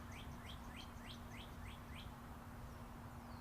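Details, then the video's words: Wild birds chirping near busy Interstate 40: a clean series of short upward-sweeping chirps, roughly three per second for two seconds, then a faint falling whistle, over steady traffic hum. "Chirping Birds"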